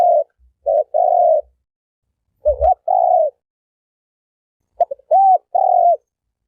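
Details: Turtle dove giving sustained hollow coos, some preceded by short clipped notes. Faint low knocks are heard in places. The overall setting is quiet.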